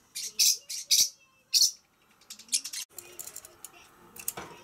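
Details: Pacific parrotlet calls: a quick run of loud, shrill, buzzy chirps in the first two seconds, then fainter chirps and a low rustling, clattering background.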